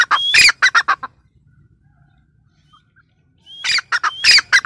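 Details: Teetar or grey francolin giving a burst of harsh, ringing squawks introduced by a short rising whistle. After about two and a half seconds of near silence, the same rapid strident phrase starts again over a faint low hum.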